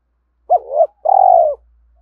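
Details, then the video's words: Spotted dove calling to attract and excite other doves. A quick coo that swells upward, a brief pause, then a long buzzy rolling coo falling gently, with a faint low hum. "Tiếng cu gáy dùng kích bổi mỗi ngày"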